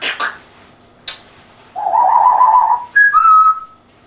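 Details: English-accented pet African grey: two quick clicks, a warbling, fluttering whistled note, then two clean whistles, the second lower and held.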